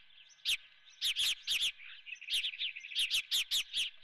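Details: Osprey at the Dunrovin nest, live golden fish for breakfast; high piercing chirps come in short runs of three to five notes, with a faint continuous hum underneath.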